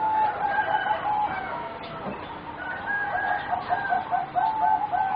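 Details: Four juvenile singing zebra doves of a competition breed, about 3.5 to 4 months old, cooing steadily: rapid rolling trills of short tonal notes, roughly four per second, with several birds overlapping in layered pitches.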